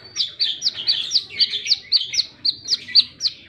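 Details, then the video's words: Plain-throated sunbird repeating a sharp, high squeaky note about four times a second in an even chattering series, bright and piercing throughout. "Burung Kolibri Kelapa | Wiceh Gacor!!!"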